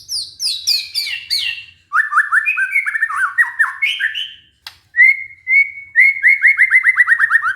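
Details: White-rumped shama song, used as a lure for a shama that stopped singing from stress. Cascading high whistles, then jerky mid-pitched chattering phrases, clear whistled notes and a fast descending trill.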